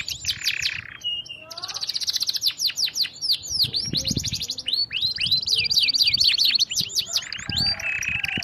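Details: Canary song, nonstop, used to train other canaries: varied high trills, swept notes and buzzy rolls over a steady low background rumble.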